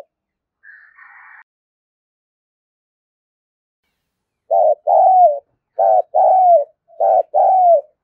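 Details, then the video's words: Spotted dove cooing as a decoy for wild doves: a faint higher rasp early on, then three rapid two-part coo phrases roughly a second apart, each a clipped note followed by a longer descending one. "Tiếng chim cu gáy kích bổi thúc gù và gáy gọi"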